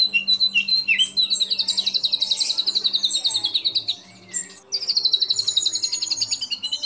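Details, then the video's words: Competition song of a white-rumped shama, with the mimicry fills that judges favour. Varied chirps lead into a dense, buzzy high trill, a brief pause, then another fast trill. "Tembakan Murai Batu Isian Sadis Dan Mewah Yang Disukai Juri"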